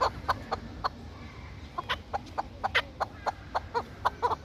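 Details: Chukar partridge kept for hunting and fighting, giving spaced, sharp chuck notes that speed up into a brisk repeated series toward the end.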